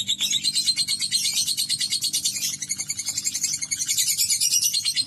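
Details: Pet lovebird delivering a sustained ngekek trill, a shrill rapid chatter of squeaky notes that rises slightly in pitch toward the end and never pauses, with faint low household hum underneath.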